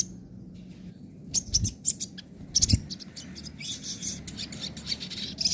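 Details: Sogon (crimson sunbird) singing its nembak and ngobra song types, a tutor recording for birds that stopped singing: bursts of high, sharp chirps and rapid twittering trills with short pauses, plus low thuds and background hum.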